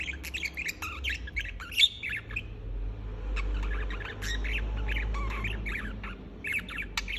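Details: Nonstop budgerigar chatter: bursts of scratchy chirps and squeaky warbles, pausing briefly before resuming, over a steady low rumble that swells in the middle.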